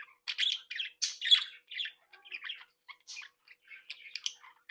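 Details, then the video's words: Young budgerigars from a breeding flock, said to talk, tweet and sing while playing, giving short bursts of bright, rasping chirps and warbles separated by brief gaps, fading into scattered single chips. "Sonidos de Mi Cría de periquitos Australianos"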